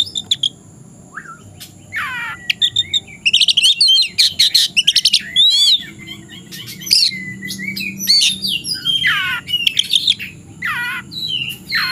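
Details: Oriental magpie-robin, ready to take on a rival, sings in the afternoon. Scattered high notes open into rapid bursts of piercing chirps and buzzy trills, then downward-slurred whistles and varied twittering.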